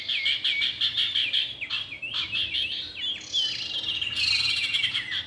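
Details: Lure audio of male and female common iora: quick repeated high chirps in an even rattling series, then a louder, rougher burst of overlapping twitters.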